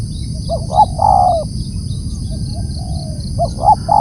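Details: Spotted dove calling loudly: one full phrase of short coos and a longer falling coo, a faint coo in the middle, then the start of another phrase. Low rumble and a high hum continue behind.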